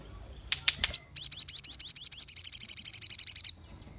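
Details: A group of crimson sunbirds singing to stir other sunbirds into song: three sharp chips, then a loud, rapid trill of piercing high notes that quickens and runs for over two seconds.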